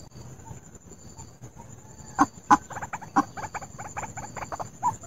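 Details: White-breasted waterhen lure call used for trapping: a quickening run of harsh, nasal croaks, about three a second, after a quiet start, with a thin high whine and a few knocks behind.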